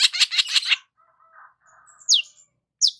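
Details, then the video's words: Morning sunbathing long-tailed shrike: a short burst of harsh, rapid chattering, faint low warbling, then two loud, sharp, downslurred high whistles. "KICAUAN BURUNG CENDET SAAT BERJEMUR DI PAGI HARI"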